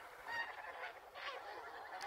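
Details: Taiga bean goose flocks fighting in winter at a wetland park, one flock advancing low and calling to attack another: overlapping harsh, nasal honks, a continuous clamour of threat calls with no clear gaps.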